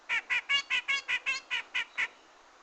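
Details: Grey-cheeked bulbul used as a trapping lure: ten harsh, nasal, squawking notes with rich overtones, given in a steady series about every fifth of a second, then a quiet background.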